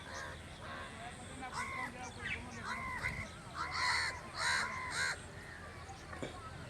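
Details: Crow giving harsh, hoarse caws in loose series, some doubled, rising and falling, with a low rumble of background noise and faint other sounds.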